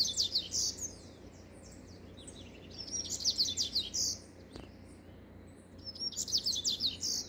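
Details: Singing double-collared seedeater giving several fast, high, chattering phrases, each a jumble of sharp notes climbing into a buzzy end, with short pauses between phrases.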